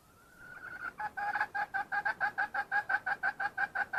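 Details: Wild red junglefowl hen calling: a drawn-out level note, then a fast run of about sixteen sharp, two-toned clucks, roughly three per second, steady to the end.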